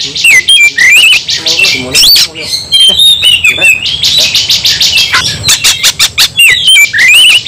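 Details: Agitated white-rumped shama delivering a long fighting song: rapid sweeping whistles, sharp clicks and buzzy rattles in dense, nonstop high-pitched phrases.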